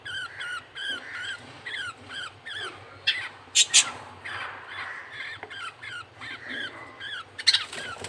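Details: Male budgie feeds a baby: evenly spaced thin chirps with bright overtones, roughly two per second, broken midway by two sharp loud squawks, then more chirping and a final harsh squeal, with a low background hum.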